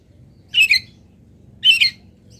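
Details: Local long-tailed shrike filler song used for training: two loud, raspy high double notes, roughly one second apart, over a steady faint low hum.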